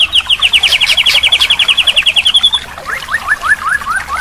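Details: Training song to make a silent white-rumped shama sing again: a fast, even trill of around twenty notes over two and a half seconds, then a series of lower rising slurred notes in quick succession.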